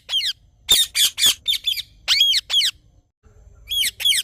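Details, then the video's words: Rose-ringed parakeet in the morning uttering loud, harsh screeches in quick succession, short clipped notes mixed with longer slurred squawks, then a brief silence and two more calls. "Parrot Morning Sounds"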